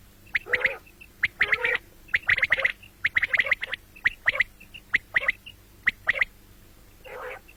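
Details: Common quail, morning and night: rhythmic groups of two or three clipped whistled notes repeated roughly every second, with harsher broad calls near the start and one at the end.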